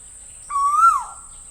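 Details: A single drawn-out whistled note from an Asian koel, rising gently to a peak before sliding down and fading.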